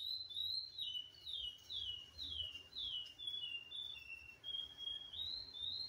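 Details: Male chestnut-bellied seed finch (Sporophila angolensis), now fully black after moult, sings a steady run of clear, high whistled notes, mostly slurred downward, about two each second over a faint background hum.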